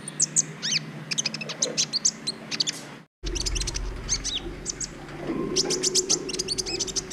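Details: A Brown-throated sunbird pours out quick, high, sharp chirps in dense runs, briefly cut by a moment of silence, on a training recording meant to excite other birds' breeding urge.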